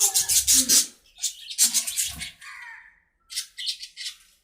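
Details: Close budgerigar chatter in an aviary, loud harsh squawk bursts in quick succession, a gliding warbled note, a brief silence, then more scratchy chirps.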